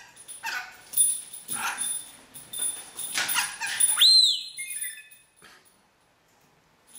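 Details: Pet rainbow lorikeet imitating a mobile phone ringtone, an R2D2 bleep, excited while a bell ball is rolled on the floor: noisy rasping chirps, then one clean whistled note that rises and falls, followed by quiet.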